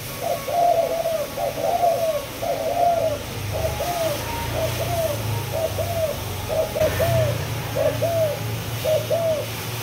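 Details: Spotted dove, Malaysia line, two months old, captive-bred, giving 'chiêu di chuyển' style song: a string of rounded, slightly rising-then-falling coos at an even pace roughly once a second, with low rumbling background noise.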